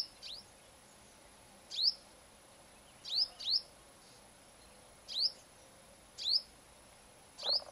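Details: A female Purple-rumped sunbird singing in the morning at a home gives six thin, high, sharp chips, rising then dropping, spaced about a second apart over a quiet background hiss.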